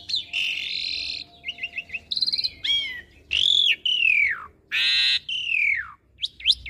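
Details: Asian pied starling (Sturnus contra), a master recording meant for young birds to copy and learn. Varied loud phrases: clear whistles sliding down, quick buzzy trills, rich harmonic notes, and short sharp upward chirps, separated by brief pauses.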